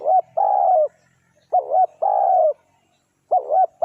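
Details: Spotted dove (tekukur) heard while luring wild doves: mellow low coos in paired phrases, a short wavering double note followed by a longer steady coo, repeated three times in quiet surroundings.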